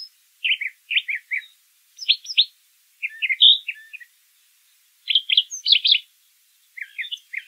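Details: Singing brown thrasher gives grouped, repeated chirps in phrases of two to four notes, each group with its own pitch and shape, separated by clear pauses.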